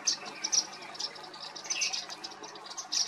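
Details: Indian silverbills (white-throated munias) at Hampi, Karnataka, India, November 2023, give thin, high chirps at irregular intervals, several in three seconds, over a faint, steady insect-like hiss.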